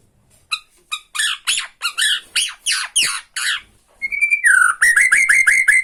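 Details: Tretekan from a Borneo shama aimed at provoking other shamas: evenly spaced harsh, buzzy rattles around three per second, a short pure whistle, then a rapid run of bright chirping notes stacked with high overtones.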